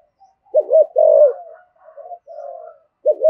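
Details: Spotted dove giving a fast provoking coo in the 'thổ' voice style, used to lure: low, hollow cooing phrases, a wavering double note, a long sustained coo, softer notes, then the wavering note again.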